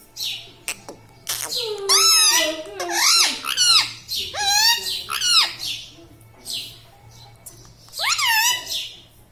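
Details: Pet Indian ringneck parakeet laughing and chattering indoors: a run of rapid, wavering, nasal harmonic phrases, each swooping up then down, repeated about every second, with brief pauses.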